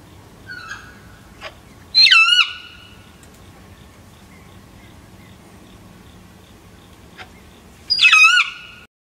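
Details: Unhappy wild Sulphur-crested Cockatoo visiting a seed feeder: two loud, harsh, wavering screeches about six seconds apart, each roughly half a second long, with quiet background and a few faint clicks between.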